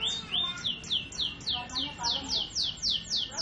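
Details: Canary trill of clear falling whistled notes repeated evenly, nearly four per second, each sweep dropping sharply from high to mid pitch.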